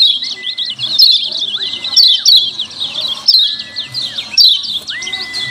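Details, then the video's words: Lemon-bellied white-eye 'ciak ciak' calls, played as a lure: loud high chirp bursts repeated every second or so, with a clear level whistle rising in and holding between bursts several times. "Suara Ciak Ciak Kecial Kuning JERNIH Joss RIBUT Ampuh Jadi Pancingan Bikin Kecial JOSS NYAUT"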